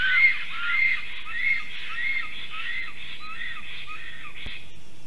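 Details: Black storks, a breeding pair, calling at their tree nest as an intruding stork disturbs them, 11:42 am, 12 July 2023; quick wheezy whistled notes, loud at first and then fading, over a low steady background rumble.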